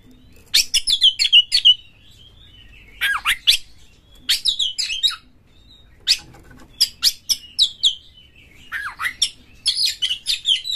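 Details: Oriental magpie-robin in a cage, recorded to provoke other magpie-robins into singing and fighting; repeated bursts of sharp chips, rising and falling whistles and scratchy notes, grouped in phrases about two seconds apart with quiet gaps.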